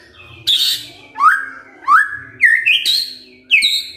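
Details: White-rumped shama kretekan fighter call, used to make other birds respond: five rising slurred whistles about half a second apart, some with harsh, buzzy high edges.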